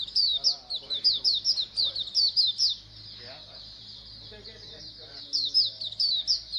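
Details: Oriental white-eyes calling as a flock, a recording aimed at making birds sing more; quick high chirps fill the start, fade to a soft hum midway, then return at the end.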